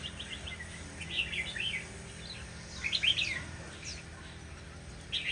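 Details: Shama giving two main bursts of fast chattering, whistled notes a couple of seconds apart, with softer sweeps between and a constant low background hum.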